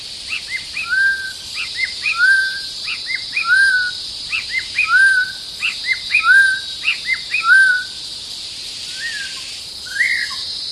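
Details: White-rumped shama holding territory repeats a short phrase of a sharp high note followed by a clear downslurred whistle, about every 1.5 seconds, amid a noisy, hissing background with high insect drone.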